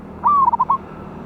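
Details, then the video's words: Loud-voiced wild local zebra dove used as a trapping lure, recorded 11/8/24: a single cooing phrase, one drawn-out slurred note dropping into a quick run of short rounded coos. "PANCINGAN BURUNG PERKUTUT LOKAL ALAM SUARA BESAR"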